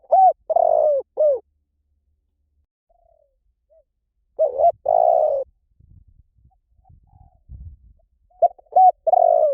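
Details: Spotted dove cooing three phrases in under ten seconds. Short, sharply hooked notes frame a drawn-out, burry coo. Faint low rumbles sound between the phrases.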